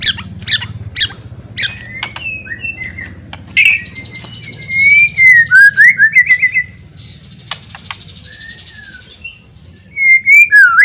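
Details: White-rumped shama giving a loud song meant to provoke rival shamas into singing and fighting: sharp clicks and chips, then swooping whistled phrases rising and falling, a buzzy rattling burst, more slurred whistles over a faint low rumble.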